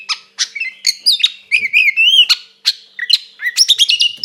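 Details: Provocative fighting song of a white-rumped shama: separate sharp calls, then clear whistled glides around two to four seconds, ending in a quick burst of high rising notes, with short pauses between phrases.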